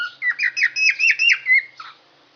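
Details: A yellow lovebird with raised head feathers sings a quick run of about seven shrill, chirping squeaks and whistles in two seconds, ending with a lower squawk; nothing else is heard.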